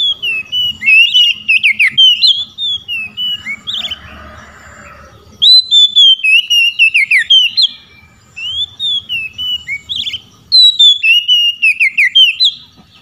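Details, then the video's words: Oriental magpie-robin singing in loud ngeplong style, calling out to rival magpie-robins that answer; rich whistled phrases with quick upslurs and trills, delivered in bursts of about two seconds separated by short pauses, with a faint low hum beneath. "Kacer ngeplong panggil lawan.kacer lain auto nyaut"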